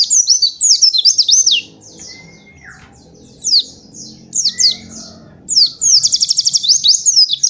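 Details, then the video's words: A white-eye sings fast, high, twittering phrases in rapid bursts with short pauses, plus one lower clear whistle; a master/lure recording meant to get young white-eyes singing. "Pancingan Pleci Bikin Emosi 100% nyaut ikutan ngalas Nembak!!!"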